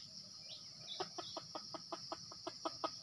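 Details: During decoy luring of red junglefowl in Sumatra, a brief faint chirp gives way after a second to quick, sharp clucks repeated several times a second, with an unbroken high-pitched insect chorus behind.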